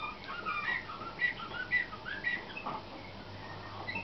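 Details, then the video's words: Slavujar canary, a 2013 youngster in competition training, sings softly: short whistled notes repeated roughly twice a second, with a few rising slurred phrases over a quiet background. "CANAR SLAVUJAR PUI 2013"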